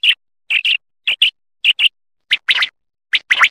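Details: Quail giving sharp, high chirps, mostly in pairs spaced about half a second apart, with a few single notes and rougher, busier notes near the end; quiet background between calls.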